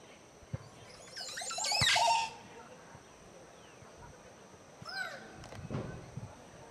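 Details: A male Montezuma oropendola performing its mating display at Tikal, Guatemala gives a loud, liquid, gurgling burst that slides downward, then a brief rising sweep a few seconds later. Faint background hum throughout.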